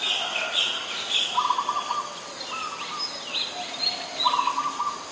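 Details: Adult zebra dove in Ubon Ratchathani, Thailand, 13 May 2022, giving soft rapid trilled coos in short bursts, three in five seconds, with higher bird calls and steady background hiss.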